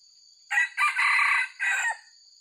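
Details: Wild white-legged red junglefowl, used as a lure call, gives a short clipped crow in four bursts: a brief opening note, a second note, a longer harsh middle phrase, then a shorter final note. A steady high electronic whine persists throughout.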